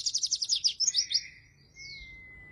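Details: Oriental white-eye song used to entice and tutor lazy white-eyes: a quick sequence of high rippling notes, then a soft falling slur and a long, thin, steady whistle.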